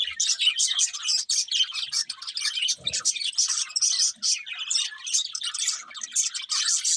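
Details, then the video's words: Budgerigar flock chatter, lively and nonstop, made of fast chirps, trills and harsh little squawks layered over one another, with one brief low thud midway. "Beautiful Budgies Chirping Sounds"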